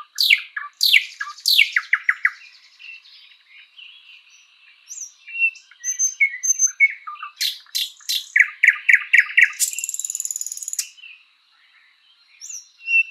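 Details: Thrush nightingale song in a spring forest: loud sweeping strokes and rapid chook runs, pauses with faint whistles, then a burst of clicking notes and a long buzzing rattle before near silence.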